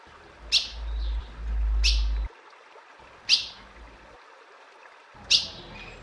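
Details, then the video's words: Female ultramarine grosbeak calling repeatedly: four sharp, high chip notes about every one and a half seconds, with a low rumble of wind or handling noise early on. "Piado de Fêmea de Azulão Chamando Muito"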